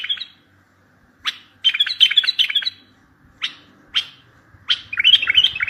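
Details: Bulbul song used as a lure to make other bulbuls answer, for trapping. Short bright warbled phrases, rising and falling, come in bursts separated by brief pauses of near silence.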